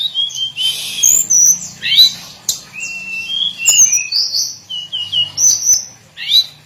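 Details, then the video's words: Hill blue flycatcher daily song: a varied string of high whistles, trills and short sliding notes, delivered continuously with a faint low hum underneath. "Kicauan harian Tledekan gunung"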